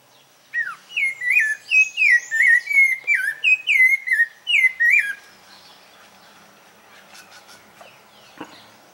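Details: Rufous-bellied thrush singing in a place it is said to frequent: about ten bright, slurred whistles repeated quickly over four seconds, each falling in pitch, then quiet with a few faint distant clicks and taps.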